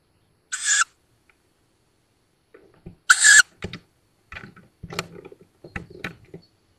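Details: Tawny owl fledglings at a wild nest in woodland by Szokolya, Hungary, 7 May 2022, caught on nest webcam: two harsh hisses about two and a half seconds apart, then scrabbling and clicking movement.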